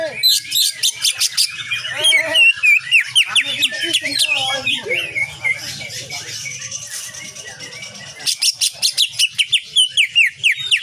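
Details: Greater green leafbird (cucak ijo) singing energetically with shots, kapas tembak nyengklir style, used to train cage birds: dense twittering and looping whistles, ending in a fast run of about a dozen sharp, evenly spaced notes.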